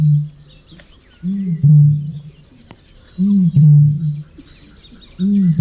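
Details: Eurasian bittern, a bird grown increasingly rare in French ponds, giving its very muffled song amplified by its body and carrying several kilometres; deep booming hoots in pairs, repeated about every two seconds, with faint high bird calls behind.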